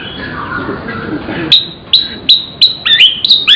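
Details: Murai, a singing bird kept as a pet in Indonesia, in vigorous song with mimicked fill-in phrases: a steady high whistle, then sharp high chirps repeated about every half second.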